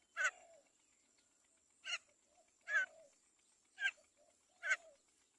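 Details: Great myna chick begging while the mother bird feeds it carefully: five loud, harsh rasping squawks roughly one second apart, each trailing into a short lower squeak, over a constant thin high-pitched whine.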